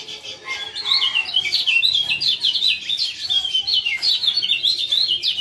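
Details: Male lemon-bellied white-eye from Lombok, its ciak ciak call used to prompt a quiet caged male into singing: a dense, continuous stream of sharp, high chirps and twittering notes with no pauses.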